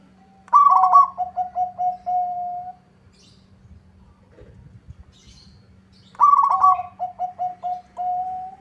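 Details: Local zebra dove, singing persistently so a rival answers: two complete phrases, each a loud rippling trill followed by a string of short coos and a drawn final note, separated by quiet with a low hum.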